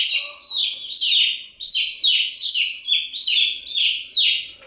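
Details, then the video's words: Chicks peeping in a steady stream, loud high chirps falling in pitch and repeated more than twice a second, a faint low background murmur present. "Continuous Chirping sound of Chicks"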